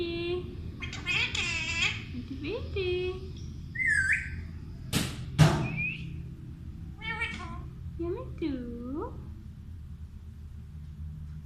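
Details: Talking pet Alexandrine parrot mimicking speech: short, clear, harmonic word-like calls such as a repeated name and "hello", rising and falling in pitch, with pauses between words and two sharp knocks midway.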